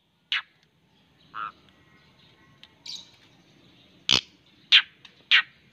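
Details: White-rumped shama, a cherished caged pet bird, giving scattered short sharp whistled and chirped notes, some high and bright, one lower burred note, separated by pauses of about half a second to a second.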